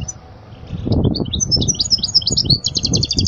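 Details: European goldfinch song used for teaching young goldfinches: fast, high twittering notes begin after a second of quiet and end in a run of rapid repeated buzzy notes, with low thumping noises underneath.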